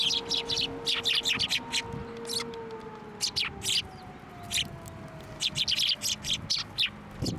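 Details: At a Tenmangu shrine in December 2023, sparrows come to a hand for food, giving rapid runs of high, clipped chirps almost without pause, over a long, slowly falling background tone.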